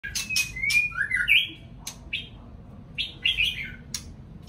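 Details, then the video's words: White-rumped shama singing in the morning: clear whistled phrases that rise and fall, mixed with sharp clicking notes and brief trills, loud and close, over a low background hum. "Chòe lửa hót sáng nghe vẫn sướng"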